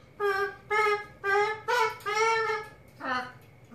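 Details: A female macaw sings while dancing, in a humanlike voice: five steady, evenly pitched sung syllables about half a second apart, ending on a lower, sliding note, in an otherwise quiet room.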